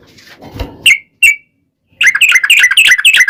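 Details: Yellow-vented bulbul (trucukan) in lively gacor, long ropel song used as a lure to make other trucukan sing back; a low rumbling noise, then two sharp notes, then a dense run of bubbly chirping phrases.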